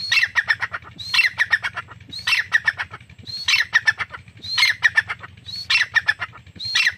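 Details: A grey francolin (Irani teetar) calls steadily: six loud, harsh phrases spaced about a second apart, each starting with a thin rising whistle and running into a rattling string of grating notes.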